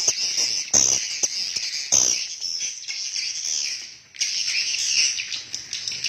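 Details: Chorus of swiftlets inside a swiftlet house: high, buzzy twittering chirps broken by a few sharp clicks, a brief near-silent dip, then the twittering resumes strongly.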